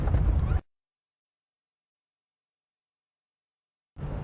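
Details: Low engine rumble during a sunset safari drive, then a stretch of silence before the rumble returns.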